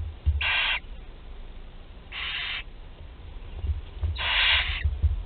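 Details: At Théding in France on 20 July 2020, barn owl chicks including a 13-day-old able to swallow whole prey give three harsh, hissing snores about two seconds apart, with soft knocks and low background rumble.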